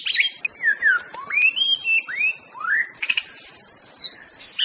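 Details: White-rumped shama from Aceh, a master song recording, singing clear whistled phrases: slurred rising and falling notes, upward sweeps and short high twitters separated by brief pauses, over a faint steady high hiss.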